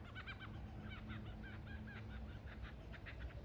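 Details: A lyrebird practising its song and dance before the mating season gives rapid, repeated, bright harmonic notes in quick bursts over a constant low hum.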